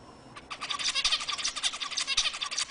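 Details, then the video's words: Zebra finch song used to stimulate other birds, a dense, scratchy stream of rapid nasal notes building quickly and continuing without a break over steady background hiss. "صوت طائر الزيبرا لتهيج الطيور"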